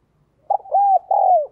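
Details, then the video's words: Close spotted dove coo phrase: a short clipped note, a level sustained coo, then a longer coo that slides gently downward at the close. "cu gáy"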